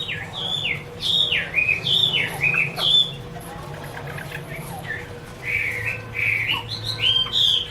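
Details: Chinese hwamei singing in bursts of bright, slurred whistled notes, some falling, with a pause mid-phrase before a fresh run of high repeated whistles; low hum in the background.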